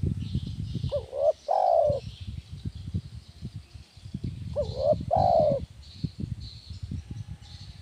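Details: Spotted dove giving its 'kuk 1' style song, meant as training therapy for doves; two coo phrases, a quick note then a long falling coo, over heavy low thumping and rumbling noise.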